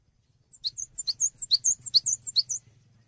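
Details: Cinereous tit in full lively song for training other songbirds: one steady run of about a dozen high, ringing paired notes over a faint low hum.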